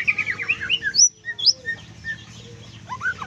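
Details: Brief burst of white-rumped shama song, trotol style with kriwikan: quick looping whistled notes, a short pause, then a few higher chirps and lower slurred whistles over a low hum.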